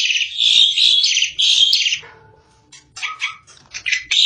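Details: Asian pied starling singing loudly: two seconds of dense, rasping, buzzy chatter, then a quieter stretch of lower, softer notes before harsh squeaky phrases resume at the end.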